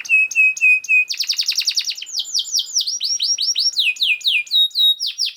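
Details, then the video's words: Canary song recorded as a master for teaching other canaries: paired steady notes, then a fast rattle and series of loud falling whistles repeated at a brisk rhythm. "KENARI GACOR SPEED RAPAT UNTUK MASTERAN KENARI ANDA"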